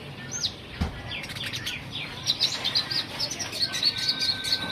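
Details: Olive-backed sunbird in energetic everyday song: a rapid jumble of high, thin chirps and quick whistled sweeps, some sliding upward, ending in a run of sharp twittering notes over a faint background hiss.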